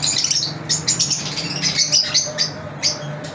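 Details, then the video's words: Lovebirds kept as pets chirping in their daily routine: a busy chatter of piercing high chirps and scratchy squeaks, coming in rapid clusters with short pauses, over a faint steady low hum. "Lovebirds Chirping"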